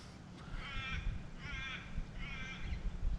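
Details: Crows near a reedy creek line at Worlds End Gorge, one flying over under blue sky, give three harsh, hoarse caws, roughly one a second, over a steady low rumble of wind.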